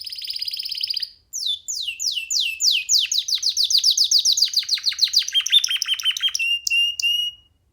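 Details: Young canary singing freely while perched on a person's hand: rapid series of downward-sweeping whistled notes, shifting into fast trills and ending with a few sharp high notes and a steady whistle.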